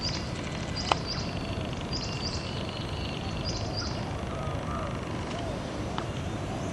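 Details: A pair of red-browed finches preen each other in early-morning sun in mangroves in eastern Australia. They give thin, high-pitched squeaky calls in small bursts every second or so, over a steady low rumble.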